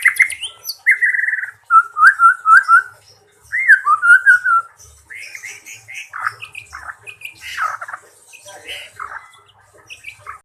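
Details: White-rumped shama singing vigorously with full fills: rolling whistled trills and slurred phrases in short bursts separated by pauses, then quieter scattered chirps and varied sharp notes toward the end.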